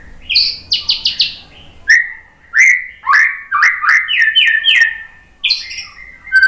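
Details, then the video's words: White-rumped shama song meant as a lure to make shamas answer. High rapid whistled notes open, then a series of rising, slurred whistles and clicks steps upward in pitch in a lively, repeated pattern. "TEMBAKAN MURAI BATU biar NYAUT ikug GACOR BONGKAR MATERI ¦ PANCINGAN MURAI"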